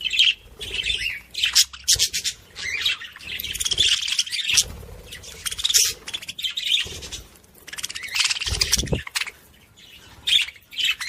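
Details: Budgerigar song for stirring other budgies into activity, with choppy bursts of chirps, scratchy chatter and squeaky whistles separated by short silences.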